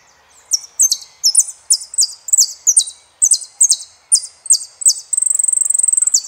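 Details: Extended saffron finch song in the El peregrino style: a series of about a dozen buzzy high phrases, each a sharp downward slide, repeated roughly every half second, ending in a fast even trill.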